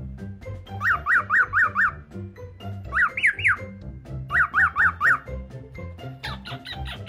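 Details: A male normal pearl cockatiel, hatched around January 2018 (estimated), plays with a hand in the morning and imitates a chick's peeping with quick runs of bright, rising-and-falling peeps over soft music.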